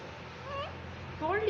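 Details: A pet green parrot named Mitthu gives two short, squeaky, speech-like phrases, each rising in pitch, with a person talking nearby.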